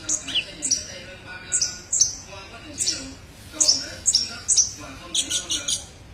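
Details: Olive-backed sunbird masteran song: separate sharp, high chirps spaced roughly every half second, each a quick downslurred note, ending in a quicker cluster of buzzy chips, with soft background hum.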